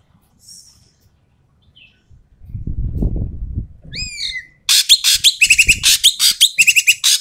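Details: Asian pied starling giving loud, harsh calls used to prompt quiet starlings to sing: a few downslurred whistles, then a fast burst of rasping, broadband notes repeated about three per second, with low rumbling noise before it.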